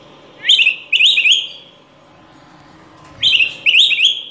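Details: Song of the Araripe manakin, critically endangered and found in 1996 in Brazilian forest: a brief sharp note, then a quick gurgling, rolling phrase, repeated twice within four seconds over a faint steady hiss.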